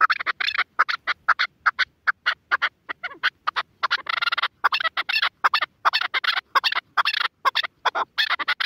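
A partridge gives a rapid, harsh chuckling series of clipped notes, several per second, running in bursts with brief pauses.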